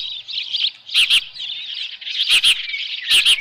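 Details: Osprey at its Dunrovin Ranch nest with a headless fish, 10 June 2018 near 6:41 PM. Thin, high whistled chirps stream along while paired sharp clicks strike close to the nest-camera microphone about once a second.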